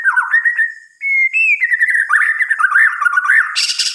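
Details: White-rumped shama at night pouring out smooth, continuous whistled phrases, slurring up and down in pitch, ending in a harsh, noisy high burst.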